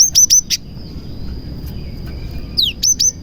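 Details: Cinereous tit (gelatik batu) song holding prinia imitations, used to prompt other tits to sing; three shrill high chips, a pause, then a falling sweep and two more chips, over a faint continuous whine.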